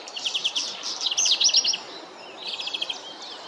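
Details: Black redstart song: a rapid rattling series of high notes swelling into a louder, buzzy, warbled burst, a short pause, then a softer repeated trill, over steady outdoor background noise.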